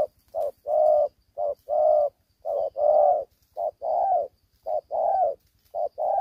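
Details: Caged young spotted dove in Vietnam, fighting with the spirit of an older bird; loud, steady alternation of short and long coos repeated about once a second, with light background hum.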